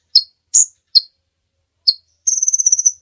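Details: Three crisp separate chips, a pause, then one more chip and a fast, even, high-pitched trill close the phrase from this kolibri ninja sunbird, a lure and training singer for other songbirds.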